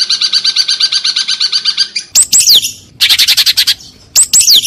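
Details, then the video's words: Long-tailed shrike singing a tembakan unik song for training recordings: a rapid, even chattering run, then loud falling whistled slurs broken by bursts of sharp, quick harsh notes. "Masteran Cendet Tembakan Unik"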